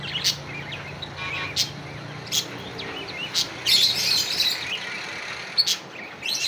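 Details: A budgerigar calls to a rival with sharp high chirps roughly every second, then a dense burst of scratchy warbling chatter near the middle, over low background hum.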